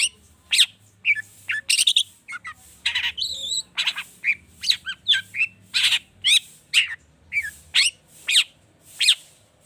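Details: Long-tailed shrike singing excitedly, its song full of rich mimicked fill used to spur other birds into song: clipped chirps, rising squeaks and harsh bursts, spaced roughly every half second.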